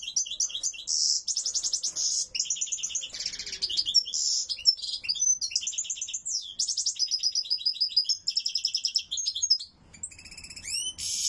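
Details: European goldfinch with an owner, singing loudly: a long, rich, nearly unbroken stream of high tinkling trills, buzzy rattles and sharp twitters, changing every second or so, ending in rising whistled notes. Almost no background noise.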